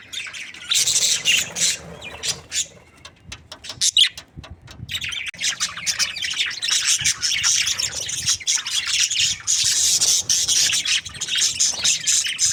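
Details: Budgerigars, a happy breeding pair, chattering: bursts of high scratchy chirps, a few sharp clicks around the middle, then a long steady stream of warbling chatter to the end.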